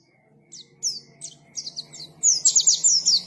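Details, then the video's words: Pleci, the white-eye, starting up: a few separated high down-slurred chirps, then a quickening, louder burst of thin twittering notes; a soft low hum in the background. "KICAUAN BURUNG PLECI GACOR NGALAS"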